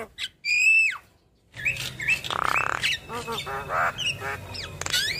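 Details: Chattering Javan myna with yellow eyes: a loud descending whistle, then a jumble of harsh buzzes, warbles and squeaky notes from its medley of borrowed phrases, with a faint low hum underneath.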